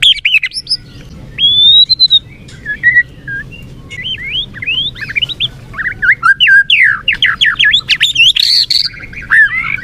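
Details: Kept white-rumped shama (murai batu) in full song: clear whistled slurs and a drawn-out rising note, building into a fast stream of varied chattering, swooping phrases.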